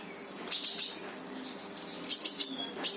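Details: Brown-throated sunbird in lively full song with tembakan bursts, played as a lure to get a silent sunbird to sing: two clusters of very high, sharp chirping notes, separated by a quiet pause, over faint background hiss.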